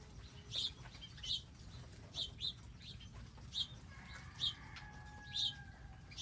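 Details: Garden birds at feeders with seed and water: sharp high tweets spaced about a second apart, with a faint steady hum entering near the end.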